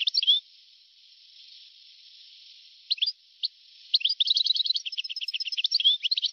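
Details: Old recording, dated 1982–1990, of a European goldfinch: a brief chirp at the start, a long hissy pause, scattered notes, then an energetic two-second run of rapid, jingling twitters.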